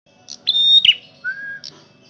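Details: Male red prinia singing loudly: a sustained high whistled note that ends in a short buzzy downward burst, followed by a lower, level whistle. Faint soft chirps are also heard.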